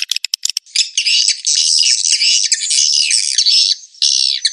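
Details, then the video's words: Edible-nest swiftlet lure call used to make birds roost: a few sharp, clicking chirps, then a dense, continuous, buzzy chatter of overlapping high-pitched twittering notes with brief dips. "SUARA BURUNG WALET PANGGIL INAP"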